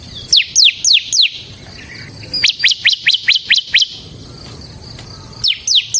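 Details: Bar-winged prinia (ciblek) singing vigorously, used to lure and train ciblek birds: quick runs of sharp downslurred notes, about four per second, in three bursts with short gaps and soft background hiss.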